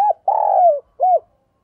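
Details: Spotted dove kept as a decoy bird, sát bổi voice: three low, hollow coos, the middle one long and drawn out, with brief curved notes before and after.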